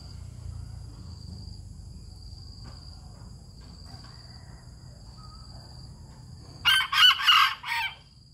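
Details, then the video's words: Crowing bantam cock from Hanoi, Vietnam: a long stretch of soft outdoor hum gives way to a single loud, raspy crow broken into about four pulses over roughly a second, ending abruptly. "Thưởng thức tiếng gáy của Gà trống tre tuyệt vời cả ngày | Gà Tre Gáy Vang Trời Hà Nội"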